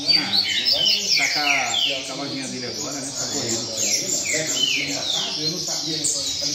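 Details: Double-collared seedeater singing in rain-song style at a singing circle: quick runs of high chips and descending whistled slurs repeated about three per second, while a man talks over the lower sounds.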